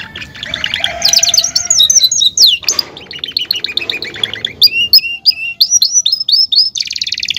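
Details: Belgian canary, called campainha, singing: varied bursts of rapid high trills and chirps, fast repeated notes, ending in a dense buzzy trill.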